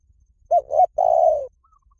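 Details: Spotted dove call used as a trapping lure: a short coo slurring into a rising note, then a long, steady, slightly rough coo that slowly sinks, with no other sounds.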